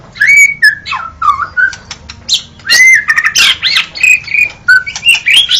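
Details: White-rumped shama song with clear whistled notes bending up and down, harsh scratchy bursts and rich warbling phrases delivered in rapid succession.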